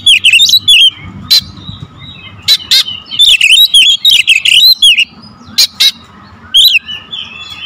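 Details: Dense lure song of an Oriental magpie-robin: rapid-fire loud whistled phrases, twisting trills and harsh clicks packed together, briefly pausing and resuming several times, with a faint steady hum behind.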